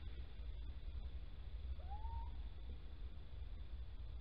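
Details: At Holten on 16 March 2020, mid-morning, a male little owl calls as his mate scrapes out a nest hollow: a single clear whistle sliding upward, heard over steady low rumbling background noise.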